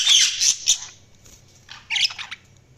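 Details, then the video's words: Budgerigar chirps: a loud harsh squawking burst, then a pause and a softer cluster of chirped notes. "Budgies Sounds| Budgies Chirping sound"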